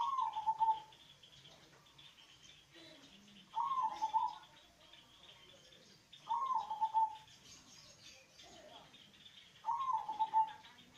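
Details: Deep-voiced local zebra dove song meant to coax lazy doves into singing: four rapid, stuttering coo phrases, each under a second, repeated roughly every three seconds, with thin high chirps in the background.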